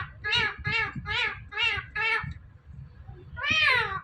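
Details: Talking Indian ringneck parrot repeating mimicked words: five evenly spaced nasal syllables about every 0.4 seconds, a pause, then one longer falling call, indoors.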